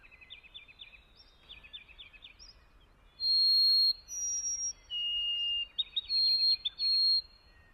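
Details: White-throated Sparrow song of pure whistles after a few seconds of soft, quick trilled chirps: long level notes that step up, then drop lower, then a run of faster warbled triplet figures ending on a held whistle.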